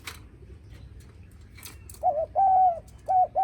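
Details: Spotted dove greeting visitors: after a quiet start with rustling, a short note then a long steady coo and another short note, loud and close.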